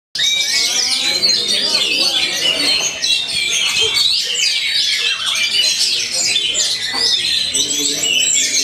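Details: Oriental magpie-robins (black 'mutiara hitam' kacer) at a songbird contest in Tegal, Indonesia, 11 August 2024, pour out loud unbroken song of high whistles, chatters and rapid trills, several birds overlapping, with faint human voices, applause and music.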